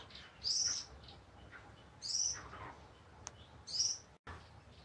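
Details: A crowned hornbill in Westville, KwaZulu-Natal, on 4 February 2018, comes for bread a vervet monkey dropped. It gives three high, thin squealing whistles, each about half a second long and roughly every one and a half seconds, over quiet background hiss.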